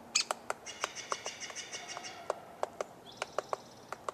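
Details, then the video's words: Likely a Downy Woodpecker (owner thinks) pecking a tree outside a trailer in sharp, irregular taps a few times a second, while other birds whistle high, thin, sustained notes in the background. "Woodpecker, Pecking & Singing"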